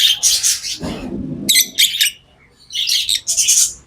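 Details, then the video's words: Lovebirds kept as pets give harsh, buzzy chirping bursts, interrupted by a brief low rustling noise, then more shrill squeaky chatter. "Love birds Sounds | lovebirds chirping sounds"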